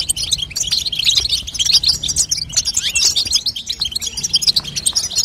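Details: European goldfinch female, her calls played to push a young goldfinch into song: fast bright twittering, crowded high chirps and buzzy trills running the whole length.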